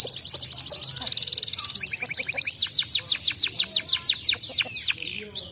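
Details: Canary song used to prompt other canaries to sing: fast buzzy trills of repeated notes shifting into slower, louder downward-swept notes, with a soft low hum in the background.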